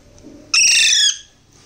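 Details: Alexandrine parakeet chick being hand-fed lets out one sustained, shrill, buzzy squeal lasting about half a second, dropping slightly in pitch, preceded by a faint low murmur.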